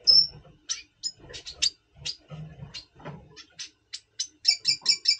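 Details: Double pastel red siskin in captivity, before breeding season, November 2023: a thin high whistle, then spaced sharp chirps and brief notes, closing with a rapid series of four or five bright repeated notes; intermittent low knocks.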